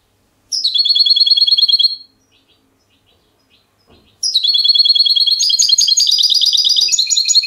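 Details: Trained European goldfinch in clean Spanish silvestrismo song style: two bursts of rapid, high metallic trills and twittering, the second longer and more varied with tinkling notes, separated by a short pause.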